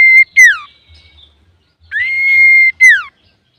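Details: Singing male common iora, used to provoke other birds into song: a drawn-out level whistle ends in a sharp downward slur, repeated twice with a quiet gap between.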